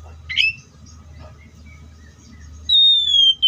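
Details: Oriental magpie-robin: a few faint short notes, then one loud, clear, drawn-out whistle that holds high and slides gently lower. Low background rumble.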